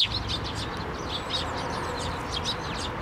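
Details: Crowd of Eurasian tree sparrows with one chick, taking food from a hand at a Tenmangu shrine on 17 May 2024; continuous overlapping twittering chirps, high and busy.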